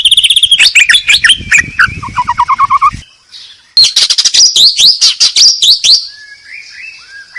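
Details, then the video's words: White-rumped shama song used as a lure to stir reluctant captive shamas into full singing: rapid loud whistles, sharp chips and trills, a descending buzzy series, a brief pause near three seconds, then another burst of varied notes. "sangat ampuh untuk pancingan murai malas bunyi. langsung gacor dan emosi bongkar isian"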